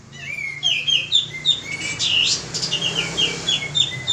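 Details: Male pied triller lure song, somewhat muffled behind background noise: short whistles and quick runs of high chirps, with a brief harsh burst in the middle.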